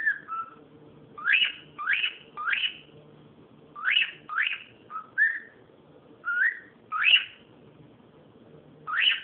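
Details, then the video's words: Cockatiel making noise: loud rising whistled calls, mostly in pairs or triplets, interspersed with short warbling notes, repeated across the recording over a faint steady hum. "calopsita fazendo barulho"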